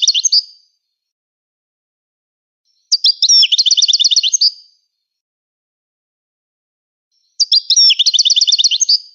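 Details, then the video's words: Three separate bursts of song from a Moroccan goldfinch. Each is a high, rapidly repeated trill of tinkling notes lasting about one and a half seconds, separated by silent pauses of roughly three seconds. "أفضل تغريد الحسون المراكشي"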